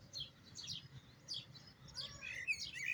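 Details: Short burst of song from a European goldfinch trained in the Jahmoumia style: quick high twittering notes, then rising and falling whistled slurs toward the end.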